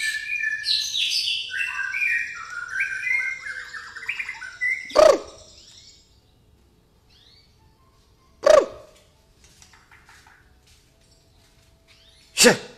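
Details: White-rumped shama, pastol type, with fighting-sparrow song fill: about five seconds of busy whistled and chattering phrases, then quiet broken by three sharp loud knocks.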